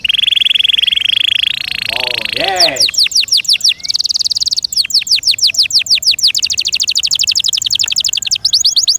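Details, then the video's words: A kept canary opens with a sustained, buzzy high tone lasting over two seconds, then breaks into long runs of rapid, sharply repeated trilled notes. "THE BEST CANARI BIRD"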